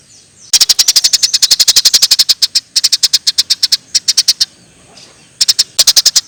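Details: Eurasian tree sparrow chirping hard for a masteran compilation: a long, fast run of bright, high chirps from half a second in, broken by a short gap, then two more rapid series before a final burst.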